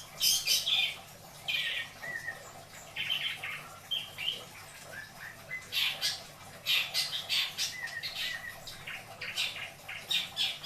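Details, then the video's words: Caged pet long-tailed shrike, kept in Indramayu, singing its 'isian dor beledos' song style: quick varied chips, short harsh bursts and brief whistled notes at a busy, uneven pace, fairly faint, over steady low background hum. "Burung cendet isian dor... beledos"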